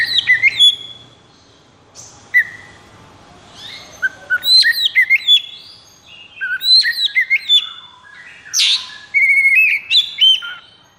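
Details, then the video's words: Oriental magpie-robin in 'konslet' state, high breeding drive, full energy, singing: rich burst of varied whistles, sharp chips and rapid slurred trills in several bouts, with a brief pause midway. "KACER KONSLET!"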